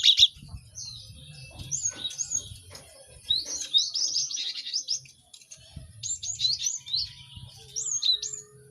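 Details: Busy cinereous tit singing played to caged birds for quick learning: scattered high chirps, then a thick run of rapid twittering notes, a brief lull, and sharp hooked whistles toward the close over faint low rumble.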